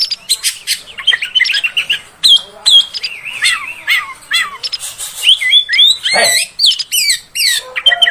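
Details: Female oriental magpie-robin, a sound used to provoke males: dense, varied run of clear whistles, upslurred and downslurred notes and buzzy chatters, rapid and irregular, with brief pauses and a harsh burst near the end.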